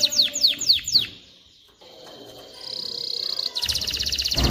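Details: Canary song to teach chicks and prepare hens for mating: several falling whistled swoops, a quiet gap, a thin steady tone, then a rapid trill ending with a loud low thump.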